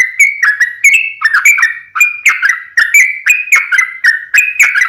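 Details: Lure song of a vocal sooty-headed bulbul, fighting-style long rapid run meant to draw other bulbuls into replying; continuous chain of loud, bubbly, slightly rising whistled notes, about three per second, with no pause.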